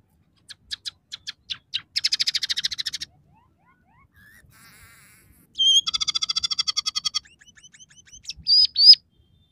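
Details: Scaly-breasted munia (emprit peking) in full song, its song said to be filled with imitations of sparrow, red siskin and canary. A series of sharp clicks speeds into buzzy high trills, then a quiet pause, another rapid chattering burst and short bright notes.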